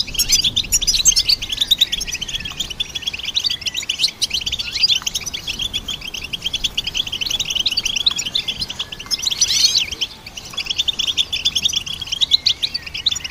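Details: Goldfinch song used to train songbirds: a long, unbroken stream of fast, high-pitched twittering and buzzy trills, briefly softer around the two-thirds point before resuming at full intensity.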